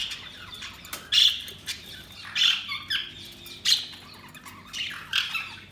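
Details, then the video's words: Budgerigar chirping: bright, squeaky high chirps about every second and a half, mixed with softer scratchy chatter between them. "Budgies Sounds| Budgies Chirping sound"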